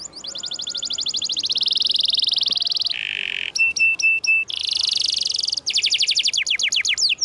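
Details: Lively canary training song offered as tutor material for canaries that have stopped singing: fast high buzzy trills, a short harsh noisy burst, clipped pulsed notes, then quick downward-sweeping trilled notes.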